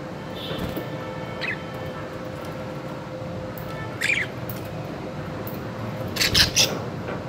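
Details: Budgerigars at shower time give brief, scratchy chirps and squawks over a steady background hiss.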